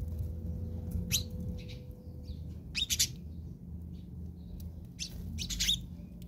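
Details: Sparrows of the house species quarrelling in South Africa, with scattered bright chirps and twitters coming in irregular clusters, some loud and overlapping, above a low rumbling background.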